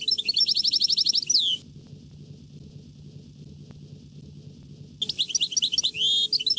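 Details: European goldfinch (Carduelis carduelis) singing bright, high, rapid twittering phrases with liquid trills and buzzy notes, pausing for a few quiet seconds mid-song; faint background hum.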